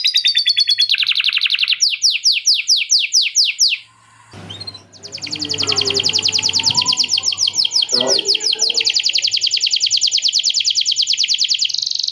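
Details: Canary song with lovebird chatter fill. It moves from rapid high trills to slower downslurred whistled notes. A break of muddled low noise and faint voices follows, then a long, dense, fast rattling trill.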